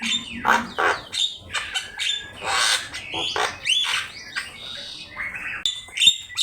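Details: Javan myna song used as a master for teaching birds: harsh raspy squawks interleaved with whistled upslurs and clicking notes in quick, irregular bursts, high tinkling whistles at the close.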